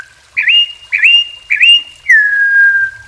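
Campo troupial singing rich, fluting whistles: three quick upslurred notes each holding a steady tone, then a long clear whistle gliding slightly downward.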